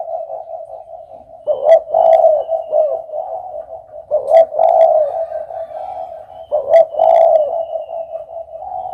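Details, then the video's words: Repeated low hollow cooing from a spotted dove, a loud stressed rolling phrase roughly every two and a half seconds, linked by a steady soft humming tone. "suara burung derkuku paling ampuh"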